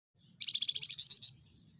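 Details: Small insect-eating Javan fulvetta with a loud voice: a fast, high trill of about ten even notes, then three louder, slightly higher whistled notes, all within about a second.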